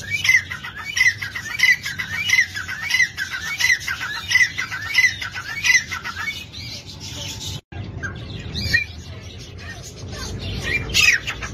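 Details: Dhakni tetar partridge repeating grating, squeaky calls at an even pace for about six seconds, over a steady hiss, followed by quieter background noise and a final brief squeal.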